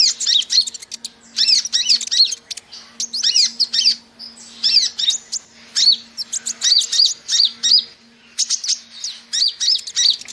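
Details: Sunbird recording used as a lure and call, giving bursts of thin, very high, rapid twittering, each phrase lasting about a second and repeated with short pauses, over a faint steady hum.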